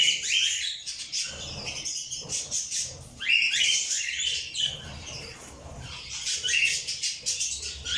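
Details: Cockatiels in Pakistan chatter with a steady stream of shrill, upward-sweeping chirps and squeaky whistles.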